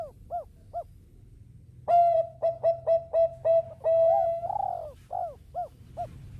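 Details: Bangkok-type zebra dove singing to draw other birds along: arched coos, then a loud run of short ringing coo notes and a long held coo, closing with more arched, bubbling notes.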